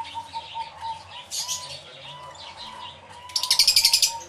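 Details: Flock of lovebirds in an aviary, stereo live recording: soft overlapping squeaks over a steady low whistling tone, ending in a fast run of loud, rapid shrill chirps.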